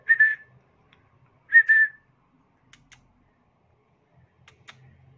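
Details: Pet African grey parrot in training gives two clear, level whistles about a second and a half apart, then soft clicking, smacking sounds as it tries to kiss its owner in a quiet room.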